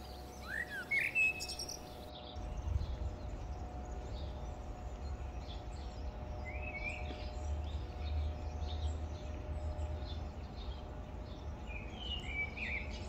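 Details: Leucistic common blackbird (Turdus merula) with a large white patch on its head, in the Campo del Moro gardens, Madrid, 20 September 2022, calling: short, scattered upward-sweeping chirps every few seconds over a steady low rumble.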